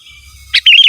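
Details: Sooty-headed bulbul singing to call rivals: a single sharp note, then a bright bubbling phrase of rapid up-and-down whistles, loud and close.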